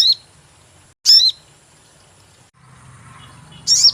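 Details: Sogon bird chirping as a lure sound for catching birds: a few sharp, very high chirps, each a quick bright note with a downward-sweeping tail, separated by quiet gaps over a low background hum.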